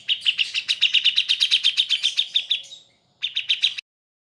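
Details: Cucak jenggot (brown-cheeked bulbul) sound used for training pet birds: a rapid run of sharp, high chirps, about four per second for nearly three seconds, then a short pause and a brief second burst.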